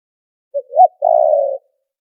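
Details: Spotted dove lure call used for trapping, noise-filtered: a short note, a rising-falling hoot, then a long wavering coo, all low and clean with silent background.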